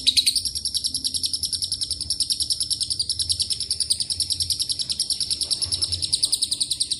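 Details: Lovebird ngekek with cililin and canary fill starts with a rising squeal, then settles into a long, fast, shrill chatter of repeated buzzy pulses, slightly uneven in rhythm.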